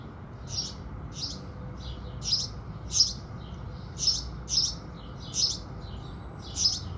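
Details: House sparrows singing at dawn as the sun rises: a lively series of bright cheeps, mostly single, some in quick pairs, repeated through the stretch with steady low background noise.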